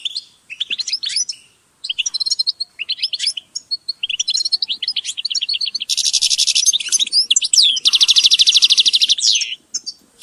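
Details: European goldfinches in group calls: bursts of quick, liquid, high twittering notes in short phrases, then two dense, harsh, buzzy trills, each lasting about a second and a half, mixed with chirps.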